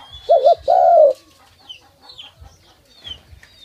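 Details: Tame dove that comes to be touched and fed, uttering one low coo, a short doubled note leading into a longer descending hoot, followed by quiet scattered chirps.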